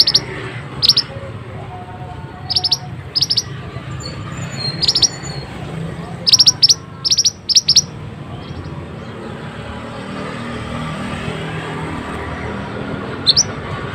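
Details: Mantenan singing in a masteran training recording: high, clipped chirps in scattered clusters, some doubled or tripled, with longer gaps between groups and steady low background noise.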